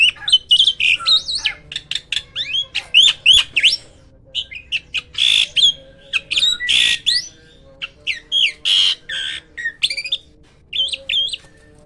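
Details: Dense, loud song of a hybrid myna: rapid, varied whistles, chips and harsh buzzy bursts follow one another with hardly a break for about twelve seconds.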